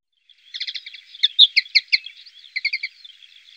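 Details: European goldfinch near Tablas de Daimiel and Villarrubia on the Llanura Manchega, Spain, giving a quick liquid twitter of stacked chirps in short rhythmic clusters, clean background.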